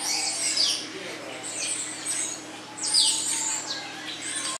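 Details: Captive blue-naped mousebird at Vogelpark Walsrode, Germany, giving thin, very high whistled calls that slide downward, uttered in quick overlapping bursts with a soft background hum.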